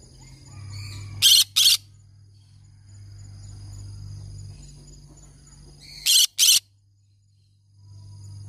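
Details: Green-cheeked conure giving harsh, raspy screeches in two quick pairs several seconds apart, with faint thin chirps and a steady low electrical hum in the background.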